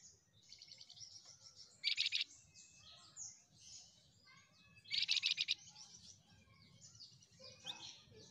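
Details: Flamboyan song: two loud, dense buzzy bursts about three seconds apart. Softer twittering and chirps from other birds fill the gaps.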